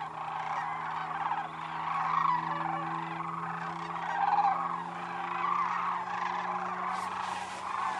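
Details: Sandhill cranes wintering at Whitewater Draw Wildlife Area, Arizona, by an icy pond; many birds give rolling, trumpeting calls in waves that swell and fade, over a constant low drone.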